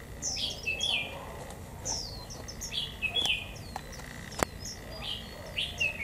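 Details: Japanese white-eye in captivity singing 'líu thung' in the double 'họa kép' style, cold day at 11 °C; bright high twittering notes in short clustered bursts, roughly every couple of seconds, over a low hum and one sharp click.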